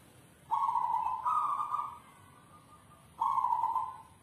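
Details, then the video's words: Zebra dove of the South Sumatra endemic type, an owned bird, giving manggung song: a sustained coo that steps slightly upward and trails off, a silent gap, then another steady coo. "Suara perkutut endemik Sumatra Selatan | perkutut manggung"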